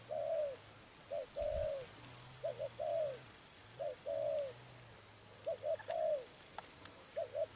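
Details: Spotted dove in a trapping setting, calling low paired short coos then a longer falling note, phrases repeated roughly every one to two seconds, with a low hum and a few faint clicks.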